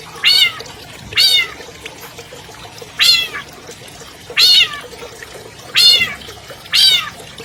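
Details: Captive albino long-tailed shrike, recorded as a master track to get silent birds singing: six nasal, harsh, downslurred calls, spaced one to one and a half seconds apart.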